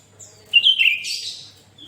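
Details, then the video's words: One short phrase from an actively singing sooty-headed bulbul, played to get other bulbuls singing: a loud whistled note sliding slightly down, merging into a rough, hissy high burst that fades. "Suara Burung kutilang Gacor"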